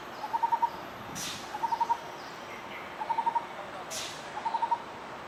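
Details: Lineated barbet giving its song of short, rapid hoot groups, usually four notes each, repeated at steady intervals of about one and a half seconds, with background hiss and two faint whooshing sounds.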